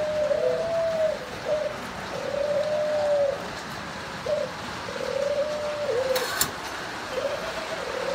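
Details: Captive breeding pair of Thai spotted doves, male and female; mellow low coos in repeated phrases, each note gently arching then dropping, with short pauses and a brief click near the end amid constant hiss.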